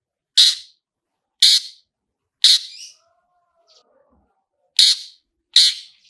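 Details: Long-tailed shrike (cendet) "toet toet" lure: loud, harsh single notes repeated about once a second, with a gap in the middle where a faint low whistle is heard.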